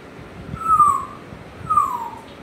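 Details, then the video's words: Pet African grey parrot at home giving two short, flat whistled notes about a second apart. "my african gray parrot sounds making"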